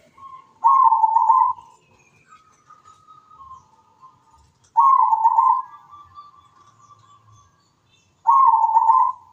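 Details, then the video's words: Zebra dove (perkutut) in full, active song, described as melodious and echoing: three loud mellow cooing phrases, each beginning with a rolling trill and trailing into a long, level, softer tone, separated by quiet pauses. "PERKUTUT GACOR SUARA MERDU MENGGEMA"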